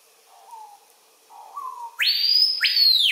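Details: Adult male screaming piha singing on a lek at Kourou, French Guiana, 25 September 2023 around 13:00, recorded on a Panasonic FZ300: two soft, low slurred whistles, then two explosive, piercing notes that sweep sharply upward and ring very loud.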